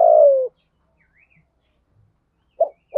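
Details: Captive decoy spotted dove, thổ sấm voice, calling wild doves in the rainy, windy season: one sustained falling coo, a quiet gap, then the start of a new short coo.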